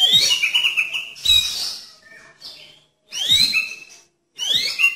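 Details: White-rumped shama, known locally as murai batu, gives tembakan song: four forceful bursts of high twittering, with sharp downward-sweeping notes, spaced irregularly with short silences between them.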